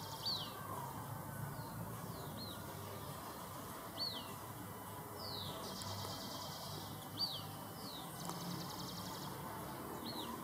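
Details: Mountain Elaenia fledglings, a pair huddled together for warmth, begging for food in a garden: high thin descending whistles at irregular intervals, a couple of harsh buzzy notes, steady hiss and low hum behind.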